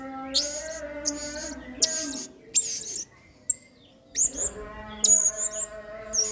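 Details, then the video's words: Blue-crowned hanging parrot singing emotionally in the singa style, a model for training birds: piercing high buzzy bursts repeated in quick succession, accompanied by a steady lower droning voice with rich overtones and short quiet spells. "BURUNG SERINDIT GACOR PENUH EMOSI MAIN SINGA"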